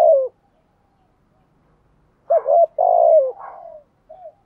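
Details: Urgent 'gù thúc' coo of spotted doves, male and female decoys: one falling croo ends, two seconds pass, then a rising double note, a long burry croo and a soft tail note.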